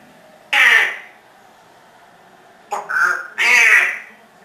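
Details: Pet African grey parrot, 14 years old, male, kept indoors and known for swearing: harsh squawky speech-like bursts, one short and then two more in quick succession.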